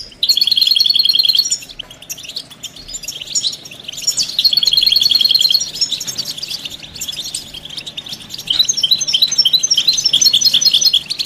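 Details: European goldfinch mating and readiness calls used to stimulate males to sing; loud, fast, even trills alternate with quieter twittering, and each trill lasts about one to two seconds.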